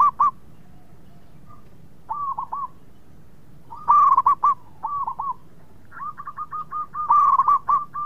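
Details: Singing local zebra dove used as a lure so rival birds answer fast. Short clusters of curled cooing notes return every second or two, some soft and some loud and bright, with brief silences between.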